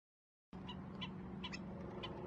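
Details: At Andree Clark Bird Refuge, one of two black-necked stilts guarding a hidden nest site gives persistent distraction calls: short, sharp yipping notes, about five in under two seconds, over a steady low hum and rumble.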